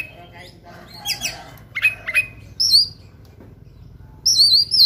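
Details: Aggressive, fighting oriental magpie-robin delivering a full fill-laden song. Scratchy chatter, then sharp whistled notes and a long wavering whistle, with a loud rippling trill at the end.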